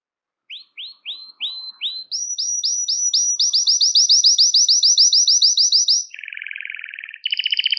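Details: Belgian canary singing, played to attract and call other canaries: a few separate rising chirps, then a long fast run of repeated sweeping notes, a lower buzzy rolling trill and a bright trilled phrase at the end.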